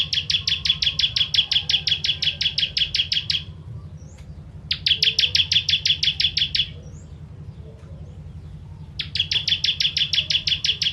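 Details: Ciblek, or bar-winged prinia, singing the crystal 'tembakan pedas' burst style used for training birds: three volleys of rapid high chipping notes, each lasting about two to three seconds, separated by pauses, with a low background hum.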